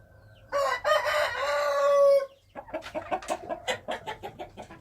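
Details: A wild chicken gives a long, loud, steady crow of nearly two seconds. It is followed by a quick series of short, clucking, knocking notes that fade toward the end.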